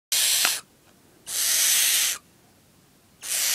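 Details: Nine-week-old barn owl calling while feeding: loud, breathy hissing screeches, each under a second, three bursts separated by quiet gaps of roughly a second.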